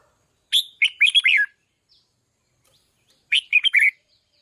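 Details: Loud song of a trained decoy red-whiskered bulbul: two cheerful warbled phrases of quick slurred notes, about three seconds apart, in clear silence.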